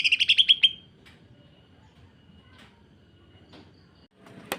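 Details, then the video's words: Greater green leafbird giving a short burst of harsh, rapid sewing-machine-like notes lasting under a second, kept to tutor or provoke other leafbirds. Near silence follows, broken by faint scattered ticks and one sharp click near the end. "Cucak Ijo. Kasaran Rapat Mesin Jahit dan Suara Aneh"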